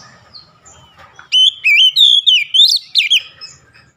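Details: Oriental magpie-robin, a kept bird, breaking into a loud two-second phrase of bright, swooping whistles and sharp chirps after a quiet start, then trailing off.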